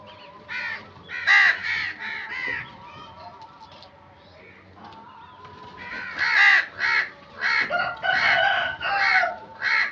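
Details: Several crows cawing in harsh, nasal bursts, loud at first, quieter in the middle, then a rapid run of repeated caws near the end, with a steady low hum beneath.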